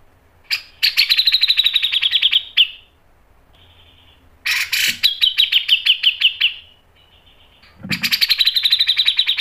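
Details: Three loud phrases from a grey-cheeked bulbul, each a fast chattering string of sharp repeated notes sliding slightly downward, separated by quiet pauses and soft trills; the tajam nembak style meant to lure birds into singing.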